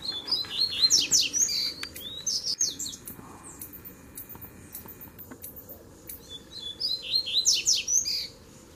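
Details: Double-collared seedeater males, three having come at the same time, sing against each other in a duel. Repeated bursts of fast, high, buzzy chirps and downslurs sound over a few seconds, with a dense final phrase.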